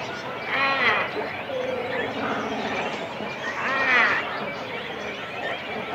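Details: Cormorant adults and chicks on a nest within a colony, recorded close: two loud, wailing, strongly harmonic calls about three seconds apart stand out above a busy background of colony chatter.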